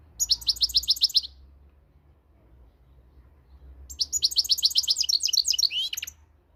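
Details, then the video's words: Moroccan European goldfinch singing: two bursts of rapid, bright, twittering notes, repeated about four per second, high-pitched and liquid, separated by a few seconds of quiet with faint low hum. "صوت الحسون المغربي"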